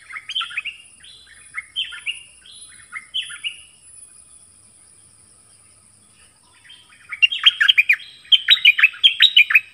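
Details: Decoy dok taeng bird in the forest calling a mate, 13 January 2021: a phrase of rapid downward-sliding chirps, a pause, then a louder, denser run of sharp chirps with clicking overtones.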